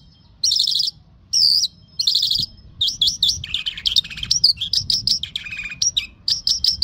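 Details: Lark in mashadi jal song: separate bursts of high trilled phrases, then a dense stream of quick chirps, hooked whistles and buzzy notes, delivered loud and close.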